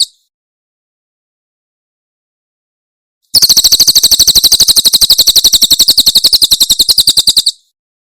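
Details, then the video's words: Javan prinia of the Cililin style, recorded very clearly as tutoring material: a tail of one burst, three seconds of silence, then about four seconds of rapid, high, repeated chip notes in a dense even series. "Masteran Tembakan Cililin SUARA SUPER JERNIH"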